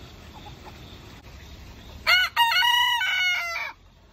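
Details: Roosters chest bumping as one crows: after two seconds of quiet, a loud rich crow with a short opening syllable, a brief break, then a long sustained harmonic note that falls away abruptly.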